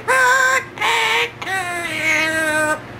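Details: Yellow-naped amazon kept as a pet sings the Happy Birthday tune, giving three clear voice-like sung notes, the last one long and gently wavering, with no other sounds.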